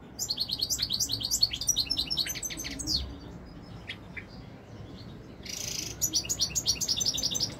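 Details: Royal goldfinch, a European goldfinch, recorded in 2021: long runs of rapid, high, tinkling twitters, a quieter middle with a few chirps, then a short hiss and renewed fast jingling song.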